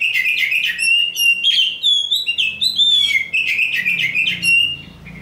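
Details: Oriental magpie-robin, a champion songbird, pours out rich high whistles: bright sliding notes, looping phrases and short rattles chained together in a continuous, energetic song, with a faint low hum underneath.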